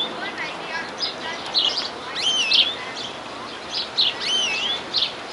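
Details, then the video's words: Greenfinch singing nonstop in the wild in New Zealand: bursts of quick, bright twittering notes mixed with sliding whistled phrases that rise and fall, coming in clusters about every second over a steady faint background hiss. "Greenfinch Sing In New Zealand Wildlife !"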